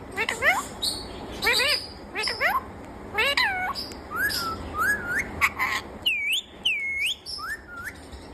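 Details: Rose-ringed parakeet, a green talking parrot said to repeat the words "Mummy Mitthu": a run of short harmonic chevron-shaped squawks and upswept whistled notes, several rising then looping, with faint human voice behind.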